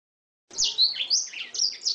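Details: Oriental magpie-robin song filled with canary-style phrases, a master recording for training birds: a brief burst of high, quick whistled and chattering notes that starts after half a second of silence.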